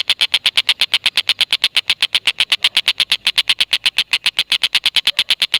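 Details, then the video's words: Indonesian native tengkek buto giving a long, unbroken 'ngekek' chatter used to draw lovebirds into calling: quick, regular staccato notes, close to three per second and more, sharp and high. "Tengkek Buto Gacor Masteran Burung Lovebird"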